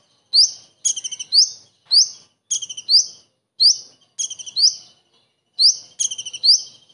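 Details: Common iora giving kingfisher-style song: piercing high upslurred notes paired with quick rattling chip groups, roughly one phrase per second.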